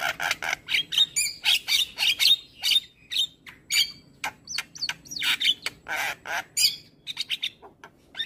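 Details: Black-winged starling morning song used to train other birds: a rapid irregular run of harsh chattering bursts and short squawks, broken by brief wavering whistles, in a busy unbroken sequence.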